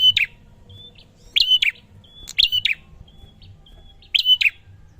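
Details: Prinia song to prompt reluctant birds: sharp chirped bursts with a short level whistle, three phrases close together then another after a pause, with soft high whistled notes between and a low background hum.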